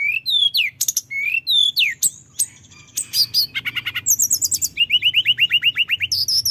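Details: Male orange-headed thrush used as a lure bird, singing a rich, rolling song: clear whistled slurs, quick buzzy trills and a run of rapid repeated notes rising in pitch, phrases varied and fast.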